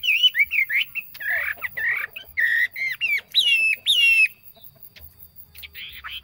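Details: Yellow phua decoy bird singing strongly, with rapid jumbled whistled notes, bubbling warbles and fluty slurs for about four seconds, then a quieter pause and a soft closing phrase.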